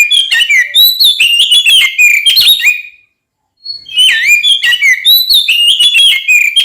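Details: Oriental magpie-robin fight-provoking song: a busy run of clear whistles and chirps for three seconds, a short silence, then a lone whistle and the rapid varied phrases again.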